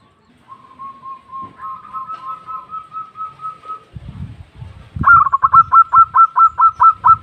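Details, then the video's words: Local zebra dove, lively and vocal, calling to its companions: a run of soft even whistled coos on one pitch, then a louder burst of rapid, rhythmic, staccato cooing notes, about eight in two seconds. "Suara burung Perkutut Lokal Gacor memanggil kawan"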